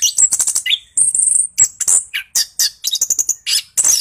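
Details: Orange-headed thrush delivering rolling song as a lure for quiet birds: fast bursts of very high chirps and trills, with occasional lower whistled notes and short breaks.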